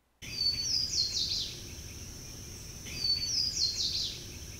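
Swainson's Warbler sings twice, each loud ringing phrase of a few slurred whistles ending in three emphatic, descending notes, over a steady faint hiss.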